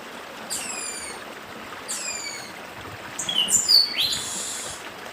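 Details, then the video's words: Chestnut-bellied seed finch, northeastern form, beside a stream: two descending whistled slurs about a second and a half apart, then a quick cluster of sharp high chirps, over soft running water. "Papa Arroz Dedim com Som de Riacho (Papa arroz do Nordeste)"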